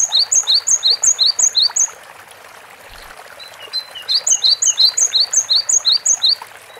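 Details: Cinereous tit singing lively (gacor): bright two-note phrases, high then higher, repeated quickly about six or seven times in a burst, a short pause, then another matching burst, over steady background hiss.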